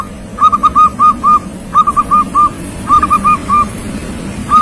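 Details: Young local zebra dove singing readily: clustered soft cooing notes in short groups of three to five, repeated roughly every second and a half, with low background hum.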